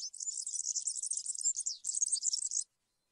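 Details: A European serin delivers a high-pitched, buzzy, jingling campero song, an unbroken tumble of tiny notes lasting over two seconds before stopping abruptly into silence.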